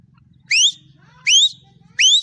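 A female black francolin gives three loud, high, rising whistled notes, each under a quarter second, spaced about three-quarters of a second apart, over a faint low hum.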